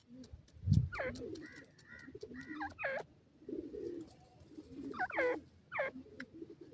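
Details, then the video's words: Partridge (teetar) calling with clusters of steep downward-slurred notes and shorter arched chirps, irregularly spaced, alongside low cooing, a thump and faint room noise. "teetar awaz"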